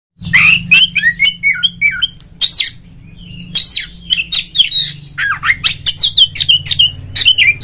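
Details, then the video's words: Oriental magpie-robin (kacer) in full song, a fast, varied run of clear whistles mixed with harsh, scratchy notes over a steady low hum, played as a lure to make other magpie-robins sing. "suara panggilan Kacer NGEPLONG nge-play Ngobra GACOR bikin semua JENIS BURUNG KACER ikut GACOR"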